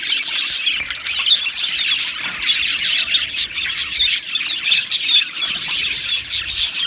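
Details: Budgies singing and chirping together in an aviary colony. Busy high chatter of many overlapping twittering notes, with some brighter squeaky whistles standing out now and then.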